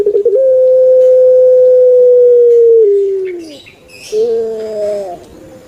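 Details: Kept turtle dove of the Indonesian puter pelung style: brief stuttering onset, a long drawn-out level coo gliding lower after nearly three seconds, then a quieter hoarse harmonic 'kwok' phrase.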